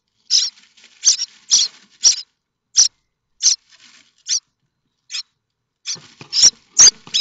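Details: Begging common starling chicks at Théding, France, May 2024, waiting for food: irregular harsh rasps, some doubled, quieter in the middle, then becoming denser and louder in the last two seconds.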